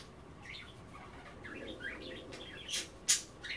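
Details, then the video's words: Pet budgerigars chattering indoors at bath time while they nibble kale and water: a run of quick warbled, scratchy chirps, irregular and overlapping, with sharp clicks near the end. "A day in the life of a Budgie - kale bath and chattering"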